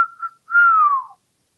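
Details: Pet African grey parrot living in a Texas home whistles indoors: a short level note, then a longer sustained whistle that slowly falls in pitch before stopping.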